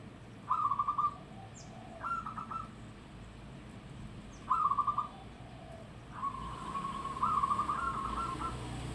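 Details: Local zebra dove with a loud voice: several short purring coo bursts separated by pauses, then a longer stuttering run of notes, softer coos in between, against steady background noise.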